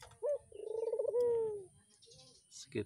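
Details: Barbary dove kept near a house at Gunung Karang, described as a very vocal bird: a short clipped note, then a rolling, pulsed coo that slides into a smooth falling tone, followed by faint background noise.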